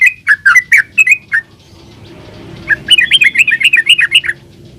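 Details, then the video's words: Yellow-vented bulbul in energetic full song, used as a lure to make other bulbuls answer and sing: two bursts of bubbly, gurgling notes, the first short, the second a longer rapid warbling run after a brief pause. "SUARA BURUNG TRUCUKAN GACOR ULPIK ROPEL INI COCOK BUAT PANCINGAN TRUCUKAN"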